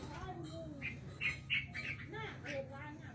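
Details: Hand-raised red-whiskered bulbul from Laos giving a quick series of short, bright chirps repeated several times a second, rising and falling, with a low rumbling hum beneath.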